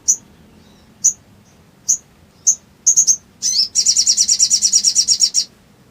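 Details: Sooty-headed bulbul in full ngleper song meant to provoke rivals: spaced single high chips about a second apart, quickening into a rapid run of bright, evenly repeated chattering notes.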